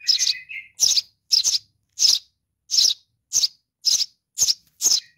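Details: Sparrow chick begging for its mother: quick series of high chirps, nearly two per second, opening over a lower whistled trill.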